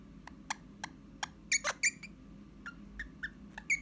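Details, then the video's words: Caged pet Eastern rosella indoors on 29 January 2021, uttering a quick uneven series of short whistled pips and a few louder chattering notes, roughly three per second. "Eastern rosella: Jake's wistles"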